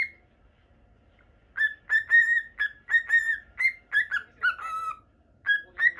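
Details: Normal Lutino cockatiel kept as a pet in Japan; after a near-silent second, a string of short whistled notes, mostly level, ending with a longer falling whistle and two more notes.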